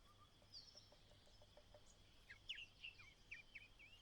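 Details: On the chick's last day in the nest, a White-browed laughingthrush mother calls it out: faint ticks at first, then a series of sharper bright chirps about every third of a second over a steady high drone.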